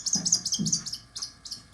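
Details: A captive, handicapped Broad-winged Hawk perched on a glove at a natural history museum in West Marlborough, Vermont, gives a rapid run of thin, high, squeaky notes, several per second, with brief pauses; faint low murmurs beneath.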